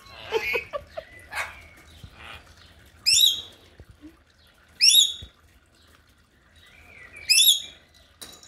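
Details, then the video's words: A lorikeet throwing a tantrum gives three harsh, shrill screeches about two seconds apart, with softer chattering and rustling between them. "lorikeet tantrum"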